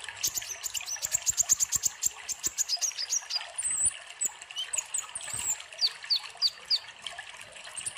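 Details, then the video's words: Actively singing kolibri ninja sunbird, recorded as a lure for young birds: a rapid series of dry ticks and thin high notes, then spaced sharp upslurred whistles roughly twice a second, faint trickling water. "Pancingan kolibri ninja gacor cocok untuk masteran konin bahan"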